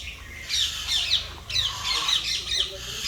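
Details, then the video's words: Parrot giving harsh, high squawks in irregular bursts, about one a second, over a steady low background hum. "parrot sounds"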